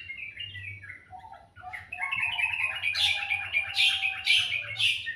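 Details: Sweet morning birdsong, opening with falling whistles, then a loud rapid chattering run of notes with bright high accents repeated about twice a second, over a low hum.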